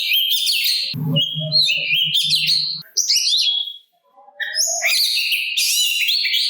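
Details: Kacer or Oriental magpie-robin singing to provoke answering birds; high buzzy warbles and trills, a short low pulsing rasp near the start, a quiet pause, then loud ringing high phrases.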